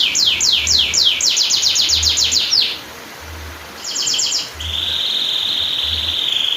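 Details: Canary long-roll song for training and triggering canaries that have stopped singing: fast repeated down-slurred notes, a brief pause, a short trill, then a steady sustained buzzy tone.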